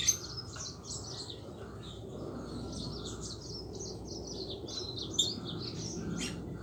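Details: Rolling 'ngeroll' song of a Yellow-fronted canary, sung energetically and used to encourage other canaries to sing; unbroken stream of high chirped and warbled notes with a few sharp accents, over low steady background noise.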